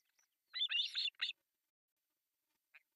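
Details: Three osprey chicks at an artificial nest in Pohjois Satakunta, Finland, begging during breakfast feeding on July 1, 2024: a quick cluster of shrill, squealing chirps in three bursts, then one faint note after a pause.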